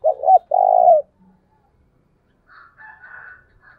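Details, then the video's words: A spotted dove's rousing thúc bổi call for stirring decoy doves. Two quick coo notes end in a long burry coo, followed after a pause by higher, softer chattering from another bird. "tiếng cu gáy thúc bổi căng lửa nhanh nổi"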